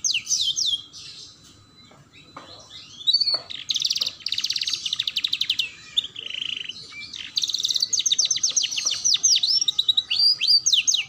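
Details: Canary song used as a tutor recording to prompt young canaries learning to sing: rapid high trills and rolling phrases alternating with sharp rising and falling whistled notes, broken by brief pauses, with a faint steady hum underneath.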